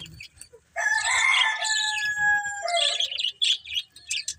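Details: Budgies give a drawn-out, nasal, harmonic warble lasting about two seconds, then a second rougher call, followed by rapid high chirps.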